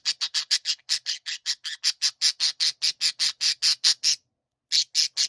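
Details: Pet budgerigars singing together in chorus: a fast run of harsh, buzzy, grating bursts, roughly two or three per second, that stops briefly near the end before three more bursts follow.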